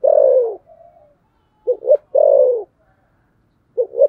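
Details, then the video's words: Spotted dove, a fighting dove, cooing in 'thổ sấm' style: a long, deep, falling coo, a soft hum, paired short notes, a second long coo, and another short pair to finish. "thổ sấm gù/ Cu gù đấu"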